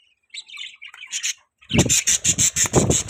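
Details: Budgies twitter softly, then a rapid, even series of harsh pulsed chirps, about three per second, over low rumbling thuds.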